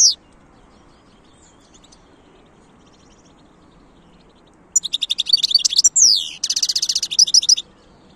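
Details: Wild European goldfinch in lively song: after a single sharp note and a long quiet gap, a rapid run of high twittering notes, a sweeping descending slur, then a dense buzzy trill, all loud and clear.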